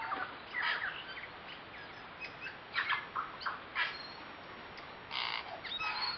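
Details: A group of about eight tui socialising in a kowhai tree near Karekare falls, West Auckland, in September: strong bursts of rich whistling and chattering notes alternate with brief pauses, several birds overlapping.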